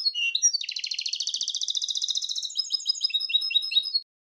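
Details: Singing goldfinch, described as grey-crowned, gives a mixed song that opens with short chirps, moves into a long, dense buzzy trill, then ends with quick, clipped twittering notes.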